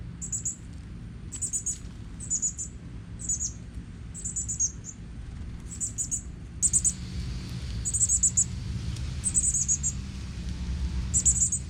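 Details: Northern cardinal chicks being fed by their father in natural woods in Texas: short bursts of very high, rapid chips come about once a second, over a faint low background.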